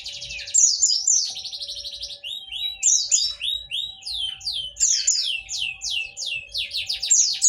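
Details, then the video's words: Continuous, lively white-eye song: dense rapid chirps and repeated sweeping slurs, very high and energetic throughout, with a faint electrical-sounding hum. Used to get white-eyes that have stopped singing to respond. "Semua Jenis Pleci langsung nyaut mendengar suara pleci ini"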